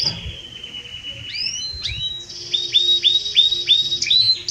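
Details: Belgian canary song, quieter here: a long, level whistled tone, a few upward and downward slurs, then a steady row of short rising notes about five per second.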